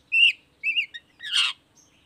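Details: Long-tailed shrike lure song for drawing other shrikes to reply: two short whistled phrases, a brief chip, then a loud harsh rasping burst, all separated by short pauses.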